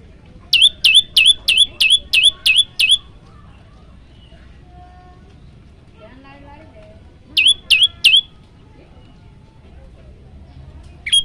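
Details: Prinia (prenjak lumut) in full varied song, used as a master for training birds: eight rapid sharp buzzy repeated notes, a pause with faint scratchy sounds, then three more such notes, over low background rumble.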